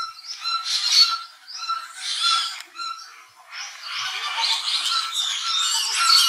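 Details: Black-chested jay in Colombia giving harsh, raspy bursts in short runs, then a longer ragged stretch, over a steady thin tone in the background.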